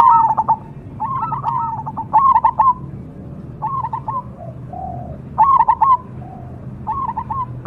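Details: Perkutut cemani zebra dove giving short cooing phrases of rapid staccato notes, about five bursts spaced unevenly with pauses, plus a faint, soft lower coo in the gap; quiet hum behind.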